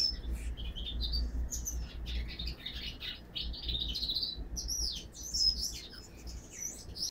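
A siskin × canary hybrid sings a fast, continuous twittering song of high chirps, trills and wheezy notes, over a steady low hum.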